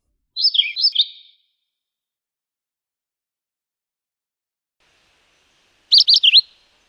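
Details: Philadelphia vireo with a short slurred, whistled phrase of falling notes, then after a pause of about five seconds a quick burst of four sharp, bright chirps; clean background without other birds.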